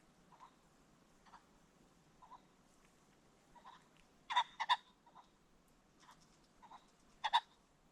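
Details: Creek-bottom recording at sunset of a Ring-necked pheasant: quiet scattered clucks, then sudden loud, raspy paired notes twice, with faint notes between.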